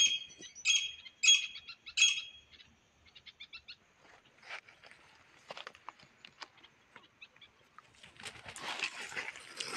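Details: A pet grey francolin serves as a trapping decoy for wild partridges. Three loud rasping calls open the sequence, followed by scattered faint notes and a burst of rustling noise near the end.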